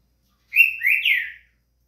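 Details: Green-winged saltator kept as a pet bird, being warmed up to sing: one short, loud whistled phrase of three slurred notes, the last rising then falling, in an otherwise quiet recording.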